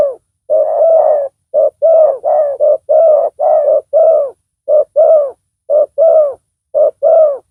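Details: Spotted dove cooing loudly during decoy trapping of a rival; low, hollow coos in short two-part phrases, a brief note then a longer drawn-out coo, repeated steadily with short pauses, no other sounds.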